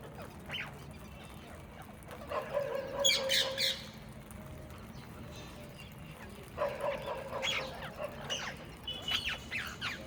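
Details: Many Indian ringneck parakeets gathered on a balcony. Two bursts of harsh, shrill screeching calls rise high and break off, one at about two to four seconds and another from six and a half seconds on. Steady low background rumble throughout.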